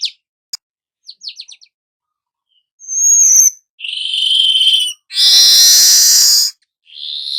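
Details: Weaver song connected with nyerut singing: scattered clicks and tiny trills, a piercing high whistle, a buzzy phrase, then a loud harsh hissing sizzle and a final buzzy note.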